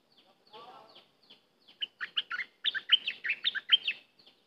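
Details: Cream-vented bulbul singing: a varied run of short, bubbly notes, mostly mid-to-high and slightly rising and falling, getting faster and louder in the second half, with a soft low rustle early on.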